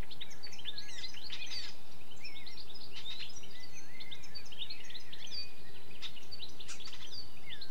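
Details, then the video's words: A European goldfinch (Carduelis carduelis) sings a fast, bright, liquid twittering of tinkling notes and buzzy trills, with other birds chirping over a low background rumble. "European goldfinch (Carduelis carduelis) and other birds | Bird Sounds"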